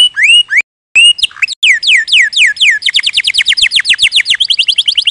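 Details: Canary (Serinus canaria), song: training song for canaries.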